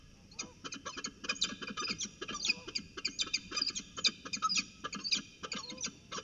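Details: Harsh rasping chatter from peregrine falcons at a ritual dance, Orange CSU, NSW, February 2020. Dense bursts of grating high notes tumble together for six seconds, with faint low background rumble.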